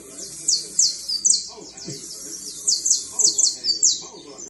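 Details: Fine canary trilling: a continuous high, fast trill with bright repeated notes and rolling phrases, over a soft lower background.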